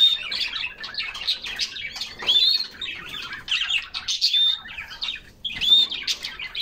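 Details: Several canaries sing during a refreshing summer bath, pouring out bright rapid trills and chirps in overlapping phrases, broken by a brief near-silent gap before the high warbling resumes.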